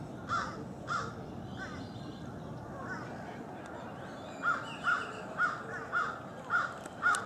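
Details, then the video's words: Lesser scaup giving about ten short, harsh, croaking notes, spaced roughly half a second to a second apart, over a steady hiss of wind or water; Lesser scaup. "Lesser scaup"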